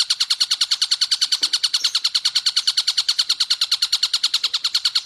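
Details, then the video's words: Long-tailed shrike song meant for teaching captive songbirds: steady, fast-pulsed harsh chatter, about nine regular notes each second, unchanging in pitch. A couple of faint low knocks sit underneath. "Tengkek Buto suara jernih speed panjang plus jeda"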